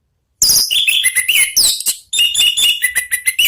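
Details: An orange-headed thrush pours out nearly unbroken ngeplong song after a brief silence: loud, varied whistles that swoop up and down, mixed with rapid chirps and a short break midway.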